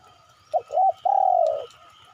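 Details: Spotted dove call used as a lure to make birds respond: a single phrase of two quick low coos, a brief pause, then one long smooth croon that gently falls in pitch, over a faint constant hum.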